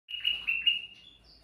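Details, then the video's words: Sooty-headed bulbul in lively, chatty song, a recording meant as a lure for other birds: a brief, bright, warbling phrase of slurred notes that trails off into a thin, high note. "suara burung kutilang mas gacor cocok buat pancingan"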